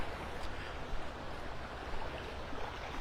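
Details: Steady broadband roar of waves and surf on a beach, with no animal calls.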